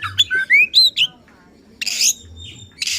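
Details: Oriental magpie-robin in agitated song used to provoke rivals, giving a few quick rising whistled notes followed by harsh rasping bursts separated by a short pause.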